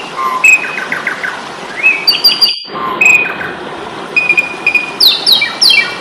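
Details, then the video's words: Fighting-mode song of an Asian pied starling for training kept birds: pure whistled notes, a short rising slur, harmonic chirps and a fast descending rattle of high notes near the end, with a brief pause midway. "Masteran jalak suren ,pasti tarung"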